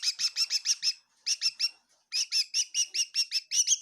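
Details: A bird chirping inside a kitchen in Tseminyu, Kohima: rapid bursts of high, bright, slurred chirps, several per burst, with short pauses between.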